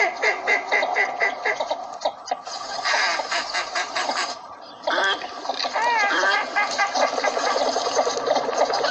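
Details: Northern shoveler calls from Pakistan, in a duck-hunting setting: a dense flock chorus of nasal, harmonic quacks overlapping without pause. A short lull comes near the middle, then wavering, upward-bending notes rise above the din.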